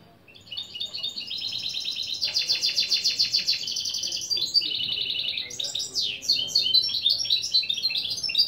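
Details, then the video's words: Song of a goldfinch-canary hybrid mule used as a lesson recording: long rapid buzzy trills of repeated notes, shifting pitch midway, then varied chirps and quick twittering phrases. "Saka Melezi Ön Çıkışlar👌 #30 Mixto jilguero/ mulet"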